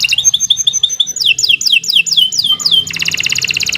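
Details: Canary song used as a training recording for other birds: a series of repeated whistled notes, then a run of falling sweeping whistles, ending in a fast, even, buzzy trill, all high-pitched and loud against a quiet background.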